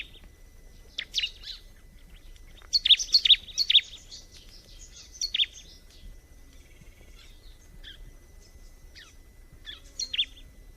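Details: Bar-winged prinia giving a few short bursts of high chirps, loudest in a quick group of bright notes near the middle, then sparse single notes amid soft background hiss.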